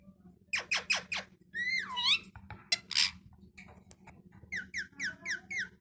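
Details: Parrot, described as talking, voicing a run of rapid rasping notes, then a long wavering warble with swooping pitch, a harsh burst, and finally six evenly spaced short chirps, a faint steady hum underneath.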